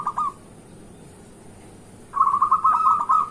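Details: Zebra dove, local variety, giving morning song used to lure other zebra doves into calling: a brief coo, then after a quiet gap a fast, bubbling, rolling cooing phrase of rapid even notes.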